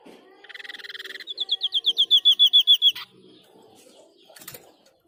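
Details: Sniper bird (White-breasted Babbler) in full song: a low buzzy rattle opens, then rapid, piercing high notes repeat and swell in volume for about two seconds. A short buzzy burst follows after a pause.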